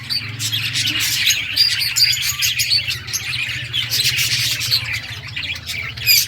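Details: Playing budgerigars chirp in a lively jumble, with clear short tweets and twittery warbling overlapping throughout and a faint steady hum below.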